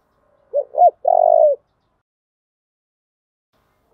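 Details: A spotted dove calls to provoke fighting: two brief bending coos followed by one sustained, gently falling coo, the whole phrase lasting about a second, then silence.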